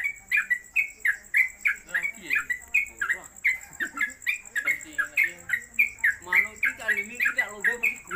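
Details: Caged Sooty-headed Bulbul singing its rapid 'konslet' song on a hanging perch pole: rapid ringing whistled notes repeated several times per second, over a steady high electronic whine and some background voices.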